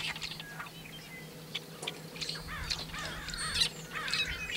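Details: Near Kern National Wildlife Refuge in California on February 26, 2003, a male tricolored blackbird gives harsh, slurred downward squawks and scratchy notes in loose repeated bursts, fairly soft, with a faint low hum and background rustle.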